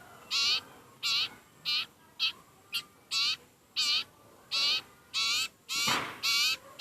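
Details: Hungry sirpu bird (sirtu) begging with rasping, hoarse notes repeated about every two-thirds of a second, one louder harsher burst near the end.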